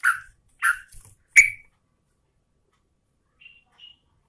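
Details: Three quick, sharp chirps from a female yellow-vented bulbul calling the male, the last one brighter, followed after a pause by two faint, thin high whistles.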